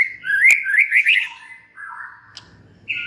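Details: White-rumped shama song used to provoke other shamas: quick warbled whistles with a sharp click, then a lower, fading, slurred note and a final high whistle.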